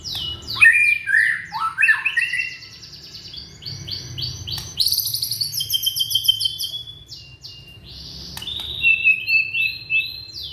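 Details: Young white-rumped shama from Indonesia in lively song meant to prompt other shamas to sing: slurred whistles giving way to rapid high chattering trills and buzzy repeated notes, varied and continuous.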